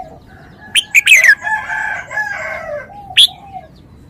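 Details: Red-whiskered bulbul giving a quick cluster of sharp, bright whistled notes, some sliding downward, then a lone high note near the end; lower drawn-out crowing-like sounds from other fowl fill the middle.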